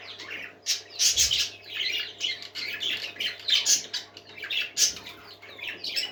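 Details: Many parakeets twittering at once, a continuous stream of high squeaky chirps and harsh squawk-like notes rising and falling in loudness over a low hum.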